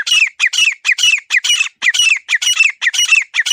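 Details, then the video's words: Grey francolin giving loud, harsh, ringing squawks, delivered in quick paired bursts about twice a second, with no other sounds. "Teetar Ki Zabardast Awaaz 🔊 | Clear Desi Teetar Voice"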